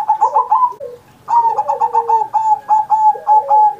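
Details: Caged zebra dove performing master song for training other pet doves: a short trill of coos, a pause, then a long even series of about nine clipped, rolling coo notes, with a softer lower dove cooing under it.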